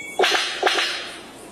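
A bird of paradise gives two loud, harsh, whip-like notes about half a second apart, each an explosive crack with a ringing edge.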